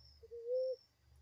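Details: Ground dove giving a single soft, low coo that swells and rises gently before stopping, with a steady faint high-pitched hum in the background.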